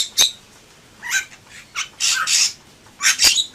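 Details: Bali myna (Leucopsar rothschildi), a white starling in full song; spaced, harsh, squawking bursts of high broadband notes, five or six in under four seconds with short silent gaps.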